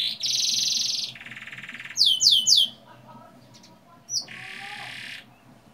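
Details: Canary song used as a lure to get young canaries twittering and singing, with long rolls: a steady buzzy trill, a lower rattling roll, a quick series of four sharp downslurred notes, then another long buzzy trill.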